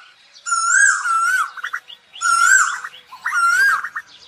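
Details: Asian koel calling the flock: three long wavering whistled calls, each followed by short stuttering notes, repeating roughly every one and a half seconds.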